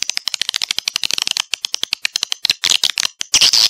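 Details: Swiftlets calling, played to attract them into a bird house to nest: rapid rattling clicks that run into high buzzy chirps, growing louder and denser toward the end.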